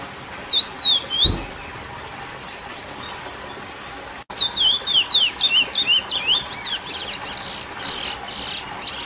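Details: Lesser seed finch (curió) singing the classic song to excite females: a short burst of swooping whistles, a pause, then a longer rapid series of clear down-up whistled notes fading into softer buzzy trailing notes.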